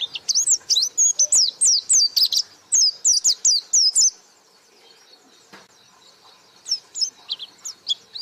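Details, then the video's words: Rapid white-eye song, 'gacor buka paruh': about four seconds of tightly packed, high, chirping notes, each a quick up-down slur, then a long quiet gap before a few more notes return at the close. "Burung Pleci Gacor Buka Paruh"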